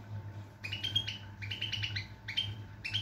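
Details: Goldfinch giving quick clusters of bright, slightly nasal chirps and short twitters in three bursts, low hum throughout.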